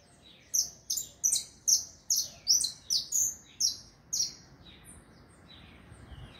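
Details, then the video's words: A saffron finch sings a run of about ten loud, high chirps at a quick, fairly steady pace, then trails off into softer, lower twittering notes, with faint rumbling in the background toward the end. "canário da terra cantando"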